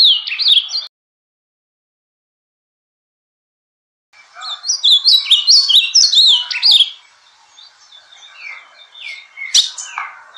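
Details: Bahia-style song (canto baiano) of an ultramarine grosbeak: a clipped fragment, a silent gap, then a rich three-second burst of rapid warbled whistles, followed by softer scattered notes and a sharp click near the end.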